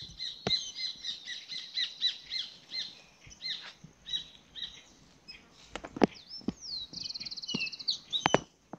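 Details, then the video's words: Grayish baywing (Agelaioides badius) giving a bright, chattering song of rapid whistled and liquid notes with a fast buzzy trill near the end, heard beside a stream during solo camping and cooking; sharp clicks and knocks in between. "Tordo músico Agelaioides badius"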